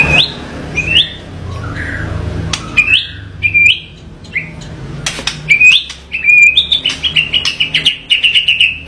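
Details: Rough, varied white-rumped shama song: ringing upslurred whistles separated by pauses, sharp clicks, then a fast rattling trill of high repeated notes toward the end.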